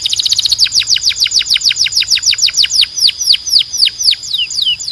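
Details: Belgian canary singing a rapid series of high, downward-sweeping whistled notes, about three per second, after an opening fast trill; loud and clear.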